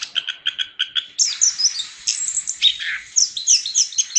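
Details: Chestnut-capped thrush singing hard, opening with a quick series of evenly spaced clipped notes, about six in under a second, then breaking into a dense, high, tumbling warble of varied slurred notes.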